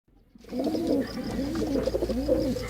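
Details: Male pigeon cooing: three low, arched coos in steady succession, each swelling up and sliding back down, close and clear against a quiet background.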